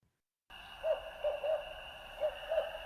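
Barred Owl giving a rhythmic run of five mellow, slightly rising hoots, the familiar "who cooks for you" pattern, over a steady electronic hum.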